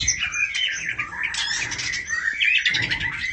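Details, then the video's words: Female oriental magpie-robin calling the male, giving a busy stream of scratchy chirps, harsh squawk-like notes and short whistles, closely packed with hardly a pause, over a faint low background rumble. "burung murai betina memanggil jantan"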